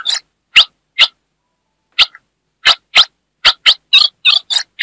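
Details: A female ultramarine grosbeak from the Northeast chirps to stimulate a male: scattered clicking chips at first, then quicker harsh buzzy notes toward the end, high-pitched, on a silent background.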